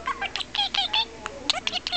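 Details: A pet parakeet in Honolulu, Hawaii, that talks, saying "I love you" and "Honolulu", chatters in quick, scratchy, high, buzzy bursts, with a few harmonic, word-like syllables mixed into rapid twittering.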